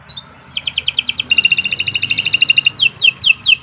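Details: Nusantara canary in full song, recorded as tutor material: a brief rising whistle, a fast pulsed trill, a longer dense rattling trill, then four repeated downward-sweeping whistles, over steady low background noise.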